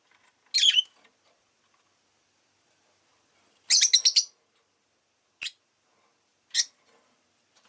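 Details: Shrill chirping from a pet rosy-faced lovebird: one harsh note, a long pause, then a rapid stuttering burst of high calls followed by two short sharp chips.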